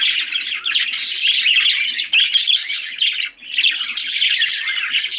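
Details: Steady, loud twittering from budgies, harsh high chirps and squawks running almost unbroken, with a couple of brief dips in volume.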